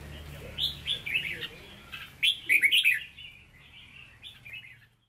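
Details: A red-whiskered bulbul of standard Hue voice, caged, sings soft rising whistles, then a loud, busy burst of bright warbled notes. The song fades into quieter trailing chirps.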